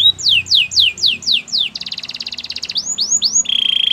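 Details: Singing canary delivers a run of about six falling whistled sweeps, a dense buzzy trill, three more sweeps, and a steady rolling phrase at the close; low hum underneath.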